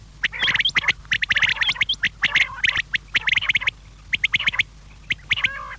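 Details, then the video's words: Quail calling for evening use, meant to draw quail close: fast bursts of sharp clipped notes in clusters, steady about once a second, ending with a lower drawn-out call. "شام کیلئے بٹیر کی صاف آواز"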